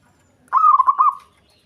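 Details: A single pulsed, rolling phrase from a local zebra dove in breeding condition, sung to goad a rival; several quick bubbling beats that end in a brief fading note, no other sounds.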